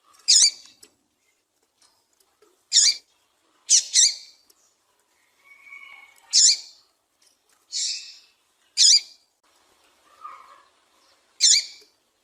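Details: Female Yellow-bellied Seedeater (papa-capim) giving sharp, high, thin call notes every one to three seconds, with a few softer, lower chirps; the female call is used to excite males for singing tournaments.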